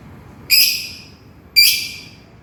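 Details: Lovebird calling to its companion: two loud, shrill, piercing screeches about a second apart, each sharp at onset and trailing off quickly, over a quiet background.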